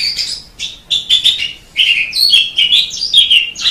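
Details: Javan pied starling (jalak suren) singing: a loud, continuous run of varied chattering and whistled phrases, with rapid shifts between harsh squeaky notes and clearer whistles and brief pauses between bursts. No other sounds stand out.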